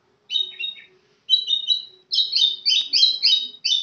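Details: White-rumped shama from Kenyir singing a lively run of bright whistled phrases, high and varied, the notes tumbling quickly one after another with short pauses between bursts.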